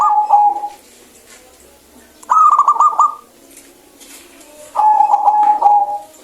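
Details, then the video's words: Local zebra dove singing a clear song: three bright phrases of quick stuttering coos, each lasting about a second, separated by short pauses, with faint background hiss. "PERKUTUT LOKAL GACOR SUARA BENING"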